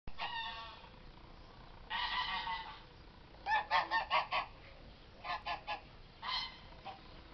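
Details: An angry white goose confronting a German shepherd gives harsh, harmonic honking calls: two drawn-out blasts, then a burst of five quick pulsed honks, followed by shorter clipped calls in small groups.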